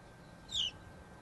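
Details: House sparrow from a pair nesting in a box installed on an urban weatherboard house gives one short, bright chirp, dropping slightly in pitch, over a faint low hum.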